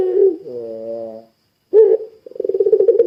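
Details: Puter pelung ringneck dove calling to trigger other doves: a short low coo, a reedy buzzy tone, a pause, then a sharp note and a quickening series of rolling pulses.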